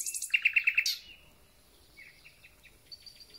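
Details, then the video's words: A thrush nightingale sings as spring begins, opening with high chips and a run of six loud, evenly spaced knocking notes, then fading to a series of faint, soft whistles. "Słownik Szary koncert na całego"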